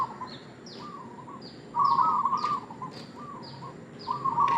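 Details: Zebra dove, local type, used as a lure call, giving soft trilled coos and one loud rolling burst, accompanied by high, thin downslurred notes repeated by another bird.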